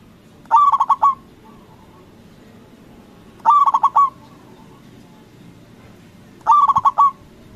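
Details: Three evenly spaced phrases, about three seconds apart, from a loud local Indonesian zebra dove meant to provoke other doves into answering; each phrase is a quick roll of throbbing coos ending on a longer steady note.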